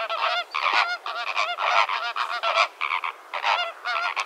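Greater Flamingos in a flock give a dense, overlapping chorus of nasal, goose-like honks, several each second, with no pauses.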